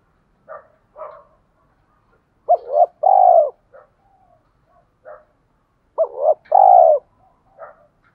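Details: Thổ-style coo of a spotted dove kept to draw wild doves into a fight: scattered soft notes, then a stuttering double coo and a long, slightly falling hollow coo, repeated once.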